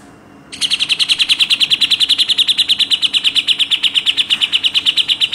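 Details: Grey-cheeked bulbul delivering a rapid 'tembakan rapat' burst recorded to tutor contest birds: after faint hiss, a long, even machine-gun series of roughly forty-five sharp, rasping notes lasting about five seconds.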